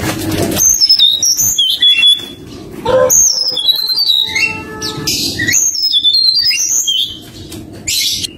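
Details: Forktail lure song meant to call up a rival: bursts of sharp, high whistles and slurred descending notes, repeated in several phrases separated by short gaps, with a low rumbling background and music.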